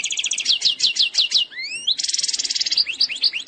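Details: Goldfinch from Algeria, eastern sector style song said to be faultless: a series of repeated descending slurred notes, a long rising whistle, then a dense buzzing trill and more twittering slurs.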